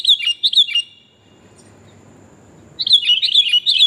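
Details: Female sooty-headed bulbul calling for a male, a luring recording; a few bright chirped notes, a quiet stretch of about two seconds, then a renewed quick burst of slurred chirps.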